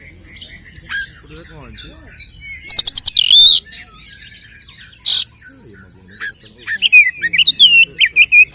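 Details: Kacer, or oriental magpie-robin, giving a fighting song used to stir other males' aggression: a rapid series of high clicks and whistles, one loud burst, a pause, then a quick string of sharp rising and falling whistled notes.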